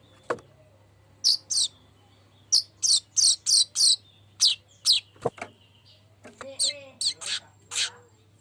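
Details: Golden-headed weaver lure song for prompting other birds: bright, high chirps in quick clusters with short pauses, a couple of clicks, and a brief faint low murmur near the end.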